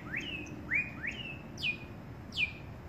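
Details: Cinnamon hummingbird young begging while being fed by its mother: five sharp chirps, each a quick upward sweep easing into a short level tail, spaced roughly half a second apart, over a faint low background hum.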